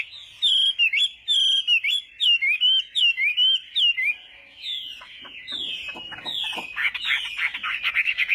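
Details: Chinese hwamei singing a morning song for voice training: a run of loud, clear whistled phrases repeated in quick succession, each dipping and rising, then softer scratchy notes with clicks and rustling underneath.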